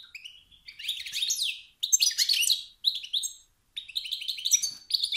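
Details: Rival-stirring calls from a male European goldfinch: a drawn-out buzzy twitter swelling into dense chattering phrases, then a string of quick repeated chirps after a short pause.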